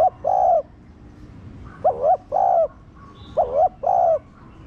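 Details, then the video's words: Captive spotted dove cooing to stimulate other doves to call: strong two-part phrases, a quick wavering coo then a longer even coo, repeated in a loose rhythm, with soft background chirping. "Cu gáy kích bổi nhanh nổi"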